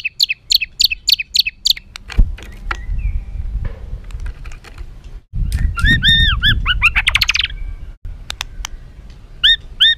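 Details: Caged white-rumped shama in an agitated, emotional song meant to provoke other birds: loud repeated whistled notes, rising harmonic phrases and harsh squawks, with low rumbling background noise and brief gaps.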